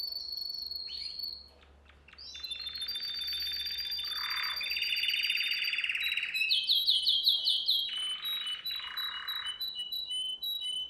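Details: Canary song for training young canaries: high whistles and clicks lead into long churring trills, rapid rattled notes and repeated high pips. The singing is continuous and energetic over a faint steady hum.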